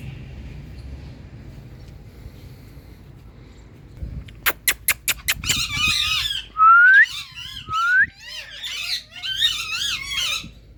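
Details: Pet ringneck parrot vocalizing after a quick run of sharp clicks or claps: harsh, buzzy squawks mixed with two clear rising whistles, then more raspy wavering calls in uneven bursts.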